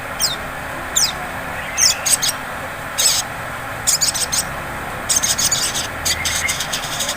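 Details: Sunbird lure recording of ngleper-style song, meant to draw out ngriwik singing: quick, very high thin chirps and clipped rattling bursts in uneven clusters, a short rising whistle near the end, faint hiss underneath.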